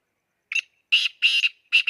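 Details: Black francolin calling in an excited state: a short harsh note, then three louder rasping, grating notes in quick succession, the last cut off, against a silent background.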